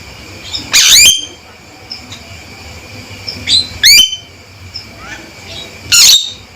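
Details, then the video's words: Loud male Javan myna calls, each a sharp burst of noise sliding into shrill, rising ringing notes. Three calls come about every two and a half to three seconds, with faint squeaks between them. "Panggilan Suara Burung Jalak Kebo Jantan Gacor & Lantang"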